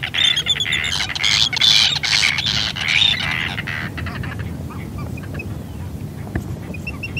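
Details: Arctic tern (Sterna paradisaea) field recording giving harsh, grating, high calls in quick bursts for about four seconds, then quieter, with steady background noise.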